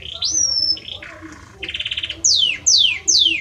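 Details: Belgian canary, a male singing for his female, gives a clear sustained whistle, a lower buzzy trill, then three loud sweeping notes that slide sharply downward in quick succession.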